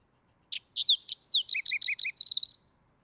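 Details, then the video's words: Green-tailed towhee singing a quick, high, bright phrase: sharp opening chips, a slurred downward whistle, four repeated two-part notes, then a rapid trill of about eight notes, all within two and a half seconds against a quiet background. "Green-tailed Towhee Bird Sound"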